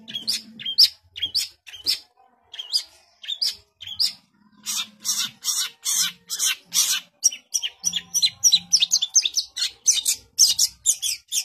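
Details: Long-tailed shrike (cendet) mixing sharp chips, whistled notes and harsh buzzy bursts in a lively, jumbled song with short gaps; faint low hum at times.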